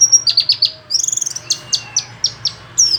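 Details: White-eye of the Pacitan type from Indonesia singing: rapid high, thin chirps in quick bursts, a brief fast trill near the middle, then more sharp chirping notes, with a faint low whistle underneath.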